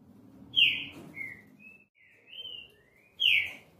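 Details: Green-winged saltator with its classic song, clear downslurred whistles followed by thinner, level notes, and a loud whistle returning near the end; faint low background hum.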